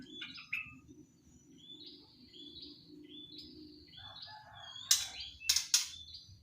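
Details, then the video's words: Three-month-old juvenile white-rumped shama practising its song: rambling, quiet whistled notes and warbles at varied pitches, rising slurs and a few short scratchy bursts near the end, over a low background rumble. "Kicauan murai batu Sri Rama(umr 3bln) yang lagi dokor"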